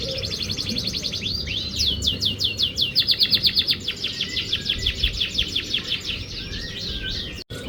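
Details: Canary singing as a lure to coax a quiet canary into song: a long, fast rolling trill of rapidly repeated high notes that pulses steadily for several seconds, ending in a brief click, over low background hum.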